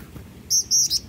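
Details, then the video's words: Black-winged flycatcher-shrike singing, a quick phrase of three high, thin, slightly buzzy whistles, the middle note longest, against faint low background noise. "Burung Jingjing Batu Gacor"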